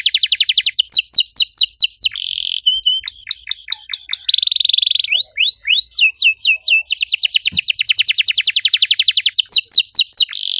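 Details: Canary in riwik style delivering a long cuit cuit song: fast rattling trills, looping whistles, a sustained buzz and rising swept notes, changing phrases every second or two.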